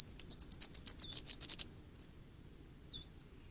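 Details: Common firecrest giving a quick burst of roughly fifteen piercing, very high-pitched notes over under two seconds, then silence and one faint thin note; clean, quiet setting.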